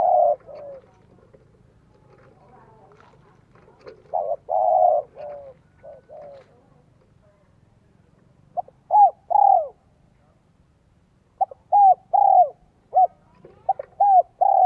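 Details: Spotted dove used as a lure bird to draw in wild doves, cooing in the 'giọng son, 1 cốt lỡ' style: short bursts of mellow, slightly falling coos in clusters separated by quiet pauses, over a faint low hum.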